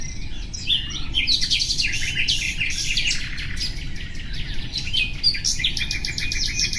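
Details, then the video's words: Common nightingale singing a varied, dense sequence of quick whistles, chirps and fast repeated notes, ending in a rattling trill; constant low background hum throughout. "Bülbül sesi"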